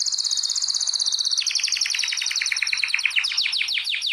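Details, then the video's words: Canary singing in an indoor canary breeding room where birds are prepared and paired: a fast high trill that steps down in pitch, then a run of rapid downslurred notes repeated several times a second. "جولة في غرفة طيور الكناري مع تغريد روعة"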